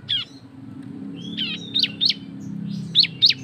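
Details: Loud ngebren-style cisem song meant to set other birds singing: sharp downslurred chirps and brief upward whistles, spaced irregularly and then quickening into a closing run of bright chirps. A low hum sits beneath.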